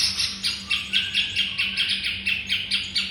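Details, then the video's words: White-rumped shama song used as a master recording for training songbirds: loud, bright, high notes repeated steadily about four times a second in a rhythmic chattering series, with a low electrical hum underneath. "Masteran muraibatu"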